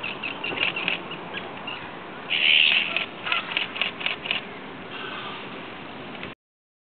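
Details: Common terns during courtship feeding, as the male brings in a small fish, call with harsh, high, scratchy notes in quick irregular bursts, one louder grating cry rising above the rest.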